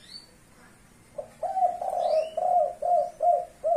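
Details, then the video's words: Leopard-spotted spotted dove singing the five-note "kuk 5" style: a series of low, soft, rounded coos in a steady rhythm, about two or three per second, with thin rising whistles from another bird behind. "burung tekukur blorok leopart, kuk 5"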